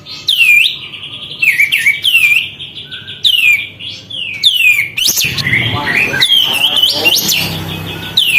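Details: Sooty-headed bulbul in energetic song with tail spread, meant to stir other birds; bright whistled phrases rising and falling, closely repeated, with a busier jumble of overlapping notes in the second half.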